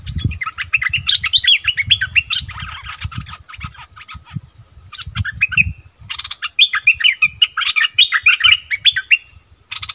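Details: Striated bulbuls in the wild, squabbling fiercely. Long bouts of fast, tumbling, chattering whistles and squeaky notes are broken by a brief lull. Steady low rustling and thumping run through the recording.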